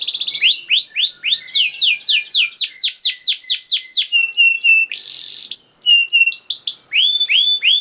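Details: Canary song played to prompt silent canaries to sing: fast repeated rising whistled notes, then trills, buzzy bursts and clear high whistles switching every second or so.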